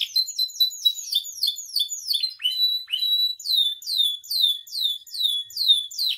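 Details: Canary kept in captivity sings a tutor song to stir other canaries: a stream of swooping downslurred whistles, briefly broken by short upward notes and a steady whistle, repeated roughly twice a second.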